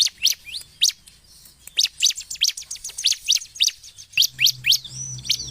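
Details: Lively Bar-winged prinia song used as a lure for birds: quick series of sharp, high, sweeping chirps, some closely packed and rapid, after a short pause.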